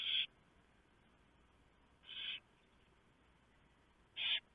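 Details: At a barn owl nest at night in November 2015, the male delivers a large mouse and the female shreds it for the owlets. Three short, harsh hissing screeches sound about two seconds apart, with quiet gaps between them.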